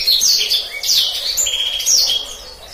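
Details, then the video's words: A black-throated canary sings a rolling gacor ngeroll song used as a master for canaries: bright, high slurred whistles and quick trills in a continuous stream, with little background noise. "Terbukti Kicauan Blacksang Gacor Ngeroll, Paling Digemari Dan Mudah Dihafal Kenari Manapun"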